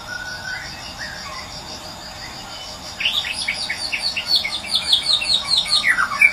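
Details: Medan white-rumped shama recorded wild as a morning lure to restart silent birds. Faint whistles at first, then from halfway a fast, busy burst of high varied notes rolls on to the end, with crickets pulsing constantly.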